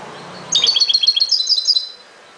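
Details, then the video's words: European goldfinch song: a quick run of bright, tinkling high notes lasting about a second and a half after a brief quiet start, with the notes stepping and twittering in a lively sequence. "غناء جميل لطائر الحسون chante du chardonneret"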